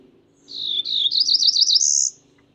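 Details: A single Cerulean warbler song, lasting about one and a half seconds. Several buzzy notes speed up into a quick zigzag trill and finish on a high, sustained buzz.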